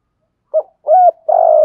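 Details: Decoy spotted dove cooing to lure and provoke wild doves: one short low coo, a smooth rounded coo, then a longer burry drawn-out note, with nothing else heard.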